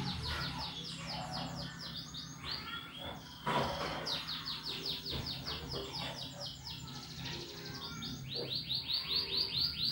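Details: Vigorous canary song in the rapid ngetik style, meant to encourage other birds to sing: dense runs of quick repeated high sweeping notes, broken by short gaps and a few sharp chips, with a faint low hum.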